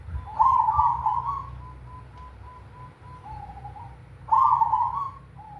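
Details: Zebra dove of cemani variety singing in big 'kung' style: a rich rolling coo, a row of soft short notes, a lower note, then a second loud coo phrase repeating the pattern; low hum throughout.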